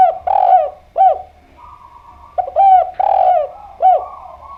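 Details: Spotted dove (derkuku or tekukur), Indonesian lure recording meant to prompt answering calls: loud soft coos in quick sequence, short down-hooked notes alternating with longer rolling coos, about two phrases, faint dove cooing behind.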